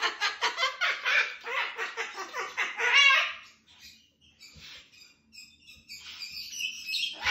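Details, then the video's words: Bedtime duet from two pet cockatoos: about three seconds of rapid, rough squawks, then quieter scattered chatter and a faint high note toward the end. "The Crazy Cockatoos - Duet Before Bed"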